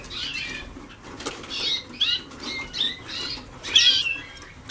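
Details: Waterslager canary pupils early in song training in 2010: a few overlapping phrases of warbled, sweeping notes, some rising and falling quickly, over a faint hiss.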